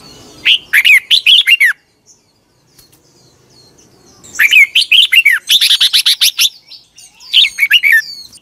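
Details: Morning song of a red-whiskered bulbul used for training birds: lively bursts of bright, slurred whistles and chattering notes, a short pause, then a longer, denser run of warbling phrases with quick repeated notes.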